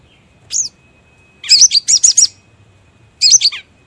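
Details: Crimson sunbird calling as a trapping lure: a single high upswept chip, then a quick jumbled burst of sharp twittering notes, and another short twitter.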